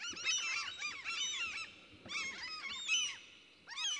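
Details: Several common cranes (Grus grus) in forest in central Sweden call over one another in loud bursts of rolling, trumpeting notes with short pauses between bursts.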